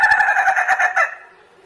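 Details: Short hoarse Ayam Ketawa crow of quick rattling pulses that fades into a soft falling tail.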